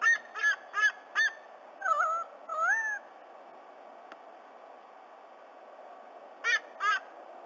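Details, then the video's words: Black currawong visiting a White-bellied Sea-Eagle nest in Australia, vocalizing with the eagle chick; loud harmonic calls with bent, rising-falling notes, four quick in a row, then two longer slurred calls, two more near the end. "Black currawong visits again"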